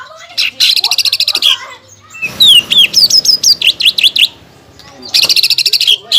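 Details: Caged greater green leafbird singing a lure song to provoke a rival, with rattling buzzy trills at the start and end framing a run of sharp, repeated down-slurred whistled notes.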